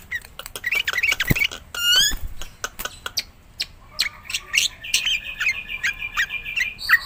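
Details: Jalak putih, Black-winged myna, in gacor song used to prompt silent mynas: harsh squawks and clicks, a rising whistled slur, then scratchy chattering notes.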